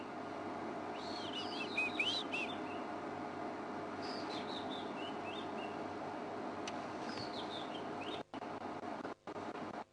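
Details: A robin sings loud short, high, warbling phrases near a breeding elephant herd with calves, pausing a second or two between phrases, over a steady rumble of wind or distant traffic.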